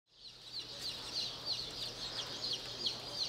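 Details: Buff Orpington baby chicks calling: a dense, continuous chorus of thin, high peeps from several chicks overlapping rapidly throughout, with a steady low hum beneath.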